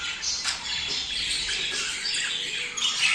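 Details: Short burst of budgerigar mating-stimulation chatter: crowded scratchy squawks and chirps, a sharp call at the start and thin whistles at the close.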